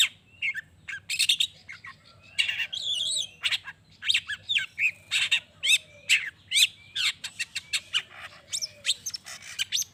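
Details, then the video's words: Long-tailed shrike singing to trigger other shrikes into answering: a rapid, continuous medley of scratchy notes, clicks and slurred whistles, busy and chattering, with many short bursts tumbling one after another. "Cendet Gacor Pagi Siang Sore...Merangsang Emosi Cendet Manapun Agar Cepat Nyaut Emosi Dan Ikut Bunyi"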